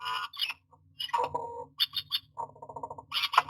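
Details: A nesting myna in a nest box in June gives harsh, squawky calls mixed with rapid chattering bursts and a few sharp clicks, all close by in the small enclosed space.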